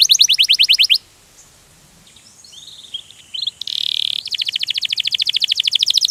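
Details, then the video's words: Canary in ngerol rolling song: a fast buzzy trill, a second of quiet, soft scattered chirps and a short harsh buzz, then a long steady rapid trill of even high notes. "Kenari Ngerol Gacor - Banyak burung kenari cepat gacor dengan suara kenari ini"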